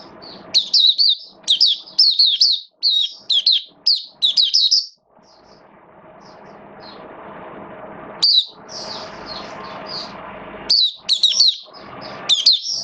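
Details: Caged Oriental white-eye in wet weather, 8 October 2022, pouring out rapid, sweet, high twitters in a long string of paired bursts, then quiet with steady background hum before resuming short warbled phrases.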